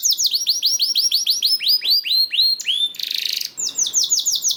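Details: Canary singing as a prompt for other canaries: even series of down-slurred chirps slowing into longer sweeps, a short harsh buzz near three seconds, then quick chirp trills again.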